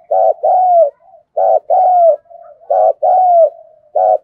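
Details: Decoy spotted dove with a full repertoire of thúc, gù and gáy gọi calls in the thunder-voice style: low pulsed notes each followed by a longer, gently falling coo, the pair repeated about every 1.3 seconds, with soft murmurs between.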